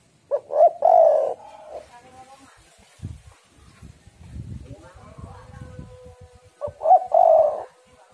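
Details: Female spotted dove lure call for stimulating males: two rolling coo phrases, one at the start and one near the end. Rustling and low muffled sounds fill the gap between them.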